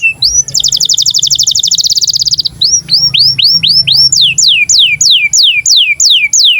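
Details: Canary in breeding condition singing, used as a tutor for young canaries: a fast rattling trill of rapid repeated notes, then a series of loud downward-sweeping whistled notes repeated about three times a second.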